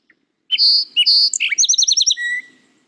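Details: A single Song Sparrow song, following the 'maids maids maids put on your teakettle' pattern: a few clear, high opening notes, then a fast descending chatter of repeated notes ending in a short, level buzz.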